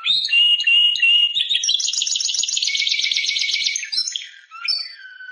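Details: Timbrado canary singing: a steady high whistled note, then a long, fast, metallic rolling trill lasting about two seconds, ending in short falling whistles.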